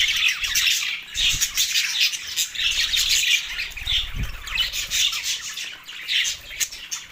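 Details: Mating-season budgerigars, recorded in Larkana, Sindh, March 2024, keep up a busy flow of squawky, buzzing warbles and chirps that overlap nonstop, with a few faint low thumps.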